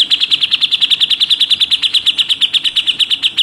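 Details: Continuous rapid 'tembakan' shots of a grey-cheeked bulbul (cucak jenggot) for contest-bird training: a steady run of bright, high, clipped notes repeated roughly ten times per second throughout.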